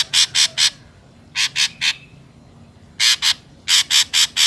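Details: Ashy drongo calls intended as a trapping lure: clusters of two to four harsh, scratchy squawks separated by short pauses, each note clipped and evenly spaced.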